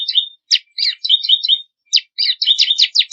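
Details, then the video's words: A bar-winged prinia sings a varied phrase for songbird training: sweeping whistled notes, short warbles and a closing run of rapid descending chirps. "Masteran suara burung ciblek kristal 4 variasi"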